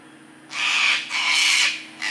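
Sulphur-crested cockatoo giving harsh, raucous screeches: two long grating squawks about half a second each, then a third cut short, over a faint low hum.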